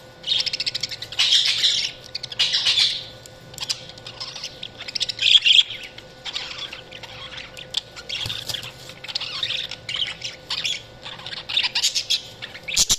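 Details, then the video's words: Budgerigars chirping: bursts of dense, buzzy warbling and chatter in bright high notes, coming in waves roughly every second or two across thirteen seconds, with a faint steady electrical hum beneath. "Budgies Sounds| Budgies Chirping sound"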